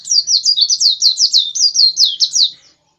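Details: White-eye singing a fast, insistent series of about fourteen high, sweeping chirped notes that rise and fall in quick succession, evenly spaced over two and a half seconds, then stopping; nothing else heard.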